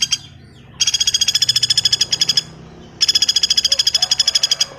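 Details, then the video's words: Common flameback in a bird-training recording, giving two fast, dry rattling trills of even, harsh pulses, each lasting one and a half to two seconds with a short quiet gap between. Faint low hum in the background. "SUARA BURUNG PELATUK BAWANG"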